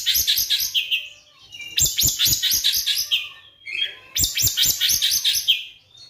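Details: Caged white-rumped shama lure song meant to prompt other shamas to sing: two long bursts of fast rhythmic chattering notes, each closing with a falling whistle.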